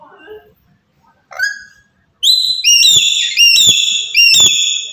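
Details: Black-capped lory from Papua, calling loudly to stir other birds into calling: a short soft whistle, then four harsh, resonant notes in close succession.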